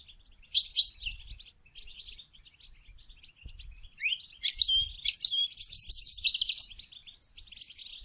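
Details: Goldfinch song for stimulating mating starts with sparse high chirps and swells into an excited run of rising whistles, buzzy trills and rapid repeated notes before tapering to soft twitter.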